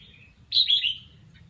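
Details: Red-whiskered bulbul practising its song: one short, rich warbled phrase, bright and slightly descending, lasting about half a second, with quiet low background hum.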